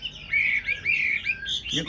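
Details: Chinese hwamei kept in a cage gives drawn-out, wavering whistles in slurred phrases, ending in a brief harsh burst.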